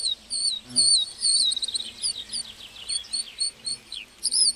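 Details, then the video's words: Singing lark in a meadow, delivering a fast stream of high chirps, slurred whistles and trills in quick bursts, with short pauses between phrase groups. "Singing lark in the meadow"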